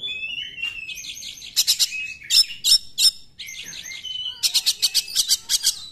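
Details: Oriental magpie-robin 'nembak' singing to spur other magpie-robins into song: thin whistles interrupted by quick runs of loud, sharp repeated notes, about three per second, ending in a rapid volley of six or seven bursts.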